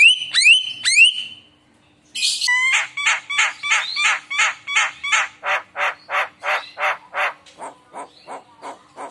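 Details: Javan myna song used as a lure to prompt other mynas to sing: two whistled, rising notes, a pause, then a long run of harsh, buzzy notes repeated about three per second, some with short whistled slurs.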